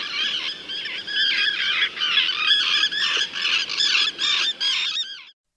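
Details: Arctic tern in the Orkney Islands, Scotland, giving harsh, grating squawks, rapid and overlapping, roughly three a second, in a dense scratchy chorus with a faint rumble beneath.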